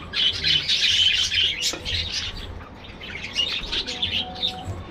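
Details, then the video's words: Loud warbling chatter of budgerigars in an aviary colony, a thick stream of high chirps and trills that swells, dips briefly, then resumes. "budgies bird"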